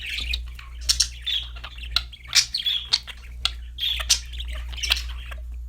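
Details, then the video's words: Budgies give dense, bright chirping and scratchy warbles with sharp clicky accents, lively and continuous throughout, above a faint low hum. "budgies chirping sound for lonely #birds TV. Happy #parakeet singing"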